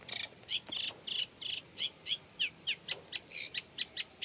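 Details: Eurasian reed warbler singing in a reed bed: slow, scratchy, unmelodious song mixing typical phrases with mimicry of other birds, here a run of harsh chirping notes repeated about three per second, varying in tone.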